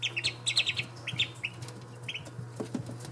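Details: Australian shelduck ducklings giving high, thin peeping chirps in quick clustered bursts, several notes close together and then spaced singly, over a steady low hum.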